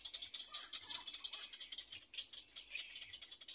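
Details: Hungry Little Egret chicks, two birds in a nest, give a dense dry rattling chatter of quick hissy pulses, roughly 150 a minute, in bursts of uneven loudness.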